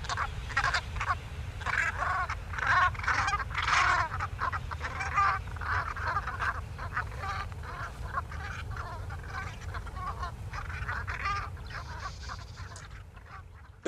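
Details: Large flock of geese skeins, migrating between Greenland/Arctic and wintering grounds, recorded over West Wittering beach, honking constantly in overlapping nasal calls over a low rumble; flight contact calls keeping the group together, also given moving between roost and feeding sites.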